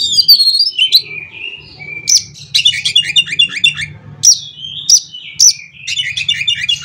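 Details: Oriental magpie-robin (kacer) pouring out a rich "isian konslet" song, meant to set other magpie-robins singing; dense runs of high chirps, clicks and whistled slurs with loud sharp accents, over a faint low hum.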